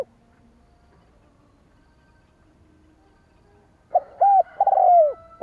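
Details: After a long quiet stretch, a spotted dove calls to lure rival doves: quick rounded coos followed by a long, purring, downward-sliding coo.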